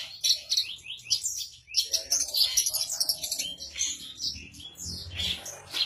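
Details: Captive Javan bush lark in full song, calmly perched on a stone: rapid, jumbled bursts of high chattering and squeaky twitter notes packed closely together for several seconds, with a soft low rumble beneath.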